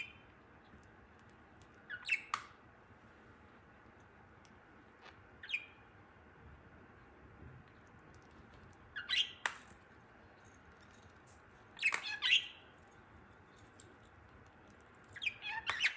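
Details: A budgerigar mating with and feeding a plush toy, then eating, gives short, scratchy squawks and chirps in scattered bursts every few seconds.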